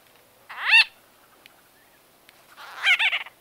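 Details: White-fronted bee-eater conversation calls recorded close up: two loud, nasal, squeaky bursts with layered harmonics, about two seconds apart, with faint clicks between.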